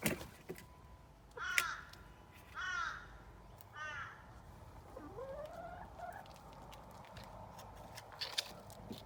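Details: A pet chicken making whiny sounds: several short arched, harmonic nasal calls, then a longer tone that dips low and slides upward, over faint background noise with scattered clicks.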